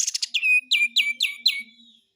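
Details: Active besetan song of a Lemon-bellied White-eye: a fast buzzy stutter leading into five quick, high, ringing notes that each drop steeply in pitch, evenly repeated about four times a second.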